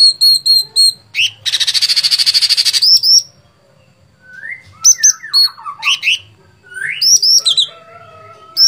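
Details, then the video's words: Energetic sooty-headed bulbul song: clear high chirps, then a fast buzzy rattle lasting about two seconds, followed by varied slurred whistles and rapid chirping notes. "Cucak Cungkok Gacor Fighter"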